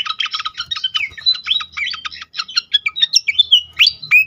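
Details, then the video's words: Pied fantail lure recording meant to make other fantails sing: dense, rapid dry chips repeated about three times a second, broken by squeaky whistled slurs rising and falling in the middle range, no other clear sounds. "on konsLet sekali pancing bikin cepat gacor sikatan kipas lain"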